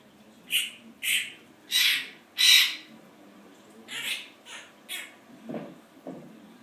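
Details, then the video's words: Pet Quaker parrot known for copying its owner's spoken complaints, here giving a run of harsh, noisy squawks: four loud bursts in the first three seconds, then several softer ones, with a quiet indoor background. "my Quaker Parrot.. AKA little recorder!!"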